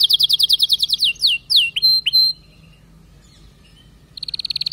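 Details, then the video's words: Singing canary: a quick series of high repeated chirps, then sweeping down-slurred notes and two clear whistled notes, a second of near silence, then a fresh fast trill begins. "اذا كناريك ما تغير في ضرف دقيقة اطلقو وبلاش تربي كناري"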